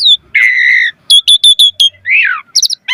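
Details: Jalak suren, or Asian pied starling, giving a droning buzzy note, then a string of short sharp chirps, a rasping slur and quick double chips.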